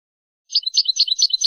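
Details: Goldfinch song fragment meant for teaching young birds to sing: a quick burst of high, tinkling chirps and short trills that starts abruptly and runs on without pause.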